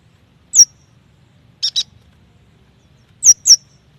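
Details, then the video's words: Yuhina lure song for young or silent birds: a single high downslurred whistle, a pair of short buzzy chips, then two more piercing descending whistles, all over near silence. "AMPUH untuk memancing bunyi burung yuhina bakalan, muda dan malas bunyi"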